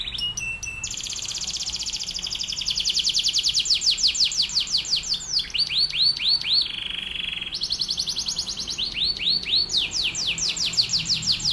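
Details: Atlantic canary in full training song used to tutor other canaries: long, fast, high trills and rattling rolls. Bursts of rapid downswept notes alternate with sustained buzzy phrases, delivered almost without pause. Faint low background hum.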